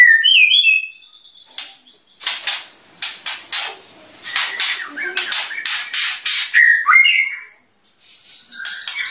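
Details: White-rumped shama in energetic full song, with loud bursting phrases said to provoke other birds: a run of harsh, rasping broadband bursts repeated about three per second, framed by clear whistled notes at the start and near the end.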